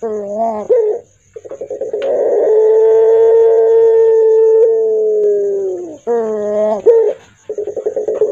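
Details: Barbary dove of the puter pelung type, with a voice described as hoarse, deep and fearsome. Short wavering coos lead into a long, steady, drawn-out hoarse note of about three seconds, then more short wavering notes follow.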